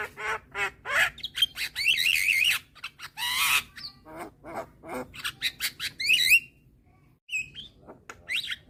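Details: Young Javan myna with white eyes, bobbing its head as it calls to attract hybrid mynas: loud harsh chatter mixing buzzy wavering squawks, rough rasps and quick clicks, with a brief pause before a few sharp whistled notes.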